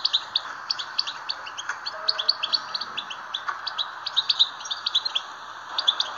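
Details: Song of the European goldfinch, played to stimulate caged goldfinches: fast, liquid twittering of high, clipped notes in dense runs, with a faint background hiss beneath.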